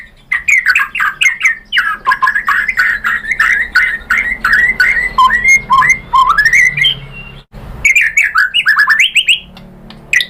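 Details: White-rumped shama song played as a lure to make other shamas reply: a fast, varied run of chirps, sweeping whistles and squawky notes, with a brief break near the middle, then rapid rising phrases, over a faint low hum.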